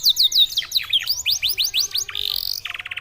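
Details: Canary song likened to a Senegalese songbird: a quick run of bright downward-slurred whistles, then a rising sweep, a sustained buzzy trill and a short fast rattle at the end.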